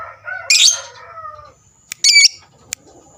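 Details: Lovebird, kept as a fighter bird, giving a long chattering trill meant to provoke rival birds: harsh bursts at 0.5 and 2.0 seconds with softer lower chatter between and brief clicks.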